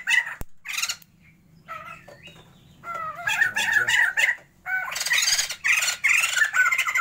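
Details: A breeding pair of captive Sumatran white-crested laughingthrushes gives a few isolated squawks, then rising bouts of raucous, rapid cackling chatter that grow louder in the second half, over a low hum.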